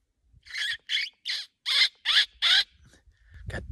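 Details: A pair of Canada jays, probably nesting within half a mile, in Sax-Zim Bog: six short, harsh, squeaky notes at two or three per second, then a faint rustle.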